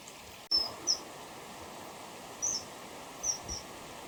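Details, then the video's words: Male and female common kingfishers call to each other nearby. A few short, sharp, high whistles are spaced a second or so apart over a quiet background hiss. "カワセミの鳴き声01さえずり Kingfisher / Alcedo atthis"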